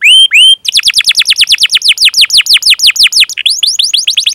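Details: Domestic canary singing a long rolling 'cuit cuit' chirping song meant to train young canaries and prompt silent ones: two drawn-out rising whistles open, then a quick run of repeated high descending sweeps, ending in an even faster trill.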